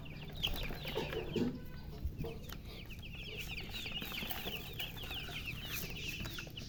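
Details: Baby chickens (coloured poultry chicks) thirsty for drinking water, peeping in a dense chorus of short, high, downward-sliding chirps that overlap continuously, with some low rumbling background noise.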